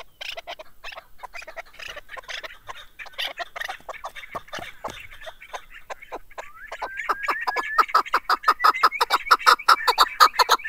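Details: A chukar partridge song builds from scattered, uneven clucks into a quickening, rhythmic chuk-chuk series that gets louder, with a thin rising whistled tone over it midway.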